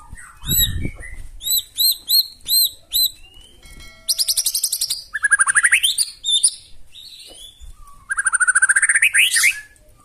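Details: White-rumped shama in rough, aggressive song meant to trigger rival birds: a dull thump, then a series of hooked high whistles, a buzzy rattling trill and a fast rising ripple of notes.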